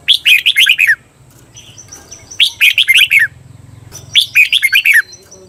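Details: Caged-bird training song of a red-whiskered bulbul from Thailand, 'bearn' doubled style: three quick phrases of clear, downward-slurred whistled notes, each under a second, repeated roughly every one and a half seconds over a faint low hum.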